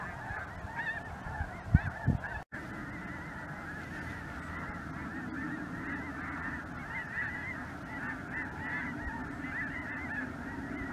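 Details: A sky-filling mixed flock of Snow Geese and Greater White-fronted Geese, possibly with Ross's Geese, over southern Indiana on a cold January afternoon in 2023; dense overlapping yelping honks chatter without pause, with a low rumble beneath.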